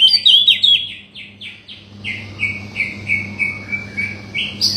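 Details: Oriental magpie-robin song played to provoke a silent bird into singing: a rapid series of clear whistled notes, each sliding down, first higher then settling into lower repeated phrases about three per second, over a low steady hum.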